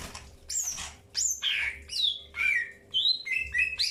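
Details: Greater green leafbird calling while being paired for the first time: loud, varied notes, some swooping down from high whistles, others short and buzzy, about two each second.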